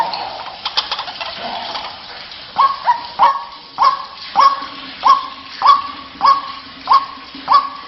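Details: White-breasted waterhen lure recording: after a few faint scattered notes, a loud, low croaking call starts and repeats steadily about every 0.6 seconds, each note short with a quick upward flick.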